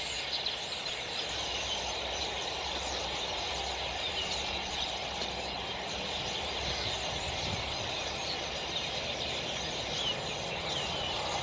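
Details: A large flock of common starlings at Cembranos in November 2018 chatters without pause, a dense wall of squeaks, clicks and harsh notes with a low rumble underneath.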